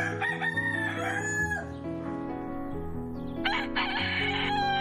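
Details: Rooster of the domestic chicken crowing on a farm, a strained, slightly wavering cry of about a second and a half that falls off at the end. A rougher burst follows near the close, with steady music underneath.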